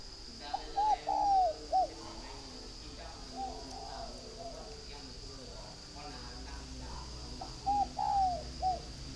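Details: Northern Vietnamese spotted dove kept at a breeding farm in Ba Vi, Hanoi, cooing twice: two quick notes, a drawn-out falling coo, then a short final note. Fainter doves call behind under a constant high hum.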